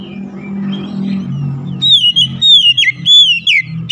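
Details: White-rumped shama (kacer) in therapy audio to get a silent bird singing: clear sliding whistled phrases over a steady low hum and background murmur.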